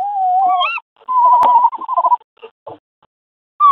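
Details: Tawny owls in a nest box during courtship, the male handing a mouse to the female: wavering, whining tonal calls, some rising at the end, then a burst of shorter broken notes and brief pauses.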